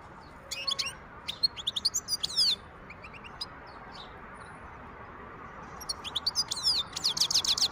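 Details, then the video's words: Wild European goldfinch in song, recorded in 2023: rapid, liquid twittering phrases of high, sweeping notes in two bursts, with a quieter pause between them and faint background hiss. "تغريد حسون خلوي"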